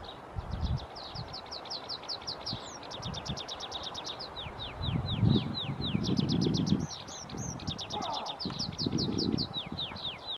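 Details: Tree pipit song in several phrases: rapid trills of short, high notes alternate with runs of loud descending slurred whistles. Low rumbling background noise comes and goes throughout.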